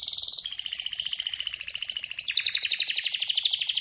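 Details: Atlantic canary trilling steadily, a high fast roll shifting to a lower even trill, then a louder, bouncier pulsed trill to the end.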